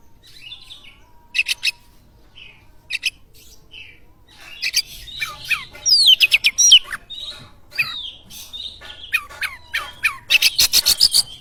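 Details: Oriental magpie-robin song meant to spark other birds to sing: a few chips and short whistles at first, then a lively stream of varied swooping whistles and rapid scratchy trills.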